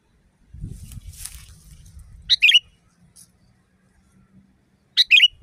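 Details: Loud wild sooty-headed bulbul. Low rumbling noise opens the recording, then two sharp double-noted chirps follow, about two and a half seconds apart. Each is a piercing burst followed by a slurred lower note.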